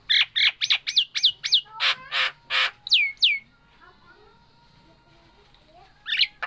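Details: Nias hill myna, a kept bird, delivering a fast run of loud whistles and harsh bursts about three per second, then a pause with a faint hum before further calls.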